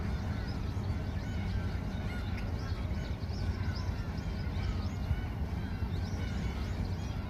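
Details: Gulls calling together in flight at Yeouido pier, a busy mix of thin, rising and falling squeals from many birds. A loud, continuous low-pitched rumble underlies the chorus.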